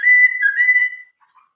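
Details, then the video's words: A single sustained, clear whistle from a Chinese hwamei singing in the old-forest style, held level for about a second with a faint wobble, then fading, followed by soft low notes. "chim họa mi hót giọng rừng già"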